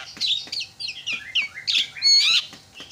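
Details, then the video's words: Javan myna calling to rouse other mynas: dense, squeaky and harsh chattering notes with slurred whistles, ending in a loud rasping squawk. "JALAK KEBO SUARANYA BIKIN JALAK PADA TERIAK"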